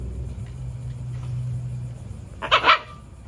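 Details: Hormonal pet macaw meeting an indifferent macaw indoors, giving one harsh, broadband squawk in two quick pulses near the end, after a low steady hum and a person's brief words.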